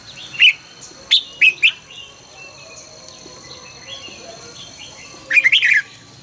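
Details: A red-whiskered bulbul sings its morning song during song training. Four separate bright whistled notes come in quick succession, then after a pause a dense burst of tumbling notes. Faint chirps of other birds are heard behind.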